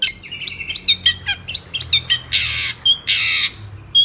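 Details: Agitated long-tailed shrike song used to provoke other shrikes into singing: quick varied high chirps and slurred whistles, then two long harsh rasping bursts and a short piping note.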